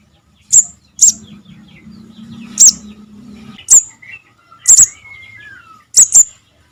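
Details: Javan cuckoo nestling call used as a lure for bird trapping: thin, very high sharp notes, some doubled, spread out irregularly, with faint whistles from other birds and a low hum behind.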